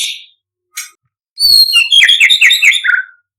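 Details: Imported white-rumped shama contest bird singing: two brief high notes with gaps, then a fast tumbling series of clear whistled phrases sliding downward, ending in a falling whistle.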